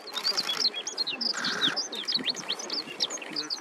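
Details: A male Himalayan rubythroat singing from a perch at Sinthan Top, Kashmir, in summer gives a rapid, varied jumble of high, thin whistles and scratchy chirps, with a brief buzzy note midway and faint voices behind.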